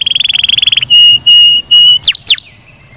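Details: Canary song: a rapid, rattling series of notes, then three steady, pure whistled tones on one pitch, ending with two swooping high notes.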